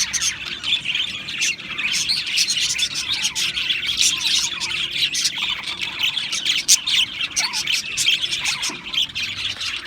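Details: Chattering Australian parrots fill the air with a high, restless babble of chirps, trills and small squawks that never stops, with sharp click-like notes throughout.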